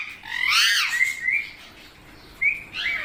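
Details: Parrot making a long, strained, harmonic call that sweeps up and then down, followed by short whistled notes and a brief rising chirp after a pause.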